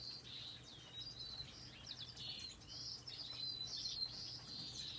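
Finches sing in a busy stream of high, thin twittering notes, with quick chirps and short trills running together, over a faint low hum.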